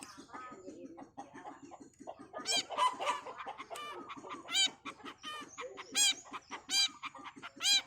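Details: Long-tailed shrike pouring out harsh, scratchy, chattering notes, some with layered rasping tones and repeated loud calls, over a continuous low rhythmic pulsing.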